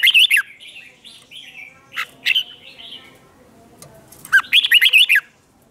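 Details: Red-whiskered bulbul competitive song for stirring up newly caught birds: three separate outbursts of rapid warbled whistles, at the start, middle and end, with softer slurred notes between.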